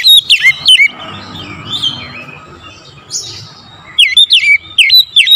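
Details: An oriental magpie-robin, recorded in the morning as a stimulating lure, gives bright slurred whistles, pauses amid soft background twittering, then resumes with a rapid run of loud, swooping notes.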